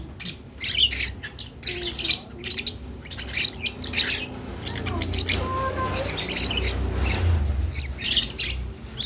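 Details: Young lovebird practising sounds with thin chirps and scratchy squeaks in irregular sequences, plus a soft low rumble in the room.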